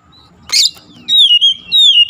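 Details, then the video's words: Oriental magpie-robin song for a bird that stopped singing: a harsh, broad burst, then a long clear whistle held and gently falling, in two connected pulses. "terapi mengatasi Kacer macet bunyi langsung gacor"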